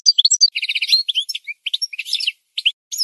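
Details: Goldfinch song from a training recording for birds: tinkling notes, then a rapid buzzing trill, followed by scattered twitters and short chirps separated by brief gaps.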